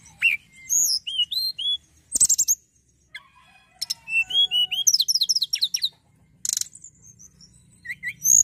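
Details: Actively singing hill prinia with bright, high chirps, hooked whistled notes, and dense buzzy trills strung together in fast, varied phrases and short gaps.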